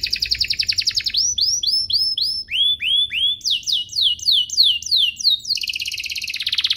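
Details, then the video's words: Domestic canary singing, played so young canaries copy it and other canaries start singing. A buzzy trill leads into repeated arched whistles, then descending slurs and a fast rising roll, tour after tour without a break. "Suaranya MUDAH DITIRU, Efektif untuk Masteran Kenari Paud dan Pancingan kenari biar gacor"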